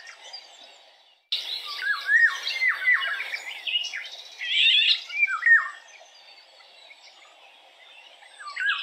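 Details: Eurasian golden orioles singing, giving mellow fluted whistles that dip and rise in short phrases, mixed with higher, harsher chattering notes and a quiet gap before the phrases begin, then calmer high chirps toward the end.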